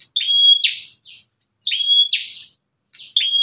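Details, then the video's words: Aggressive free bar-winged prinia calling to provoke other prinias; each phrase a brief high chip, a steady thin whistle, then a harsh buzzy flourish, repeated about every one and a half seconds with short gaps of silence. "BURUNG PRENJAK GALAK INI SUARANYA BISA BUAT MEMACING BURUNG PRENJAK LAIN"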